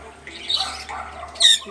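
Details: Myna bird speaking: a short harsh squawky burst with a thin high whistled note near its start, then a louder, brighter whistled squawk at the end.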